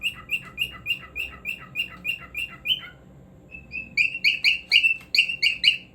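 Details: Rapid chirps from a cockatiel: about ten even notes, a brief pause, then a louder, denser burst of clipped harmonic chirps, nearly four per second.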